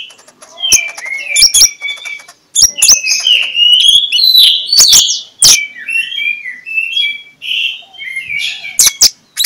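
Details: Magpie-robin 'ngeplong' song used in the morning to make other magpie-robins sing: varied clear whistles, slurred and looping, mixed with occasional sharp clicks, about two notes each second.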